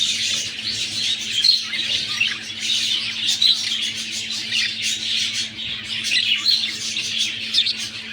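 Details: An indoor breeding pair of budgies nearing the time to lay eggs fills the room with dense, buzzy twittering and sharp little squawks, rising and falling in loudness, with a low hum beneath.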